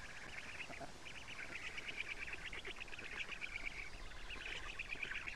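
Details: Black stork nest in Estonia, morning of 14 June 2017, adult female bringing a large load of lampreys to the chicks. Nearly continuous rapid, wheezy, pulsed chattering throughout, with slight rises and dips in intensity.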